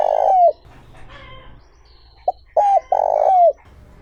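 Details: Luring coo of a spotted dove, 'trơn ròng' smooth voice style for attracting wild doves: the tail of one phrase falls away, then a complete phrase follows with a short note, a double note and a long buzzy coo.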